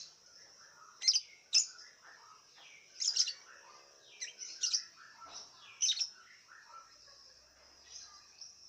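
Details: Caged lovebird in an online singing contest from Singkawang, West Kalimantan, kept in a round cage and fed white millet; sharp high chirps and bursts in repeated phrases with short pauses, over a steady high hiss.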